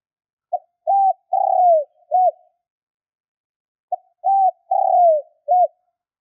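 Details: Spotted dove calling to provoke wild doves, giving two clean four-part coo phrases about three seconds apart: a soft lead-in, a level hoot, a long drawn-out falling coo, then a clipped closing note, with no other sounds.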